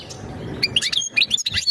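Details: European goldfinch mating call aimed at preparing the female for breeding: a short burst of quick, bright chirps and twittering notes follows a faint murmur of background noise.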